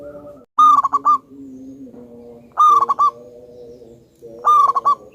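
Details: Highly vocal local wild-type zebra dove with a big voice, in a lure recording. Three loud phrases under two seconds apart, each a ringing note followed by three or four clipped beats, over soft steady lower tones.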